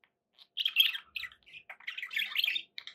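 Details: Pet budgerigars making a run of chirpy, scratchy warbled notes with brief pauses, building into a denser twittering stretch near the end.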